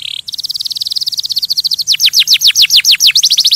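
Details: Canary singing to stimulate other birds, starting with a brief buzz, then a thin high fast trill that slows into loud, rhythmic downswept notes.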